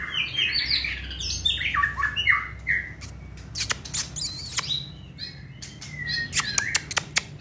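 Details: Hand-held caged white-rumped shama with short tail, bred for singing contests: a cascade of stepped, descending whistled notes, then harsh buzzy calls, sharp clicks and a few level whistles.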